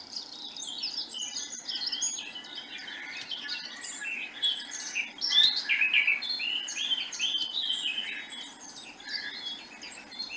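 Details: A Eurasian blackcap, an elusive woodland bird, sings a rich, continuous warble of quick, varied notes that runs on without a break and swells in the middle. Its song lasts longer than a blackbird's or robin's.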